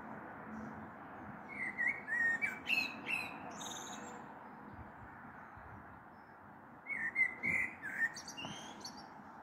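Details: Two separate song phrases from a common blackbird, recorded from a balcony on the evening of 21 April 2022 as a storm may be coming: each is a fluted warble followed by scratchy high twittering, with a pause of several seconds between.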